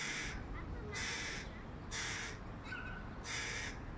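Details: Fledgling hooded crow, one of three, shrieking for food from a tree near its mother as the male feeds another youngster fish; four loud, grating, broadband calls with short gaps, plus a fainter call between them.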